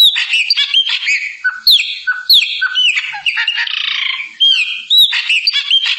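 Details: Song of the chopi blackbird, or pássaro preto: dense, fast chatter of gurgles and harsh notes broken by bright rising whistles, with a scratchy buzzy passage near the middle.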